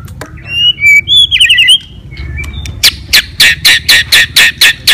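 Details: White-rumped shama fighting song, meant to excite other birds: whistled and trilled phrases, then a steady run of about ten harsh, noisy chattering notes repeated roughly every quarter second.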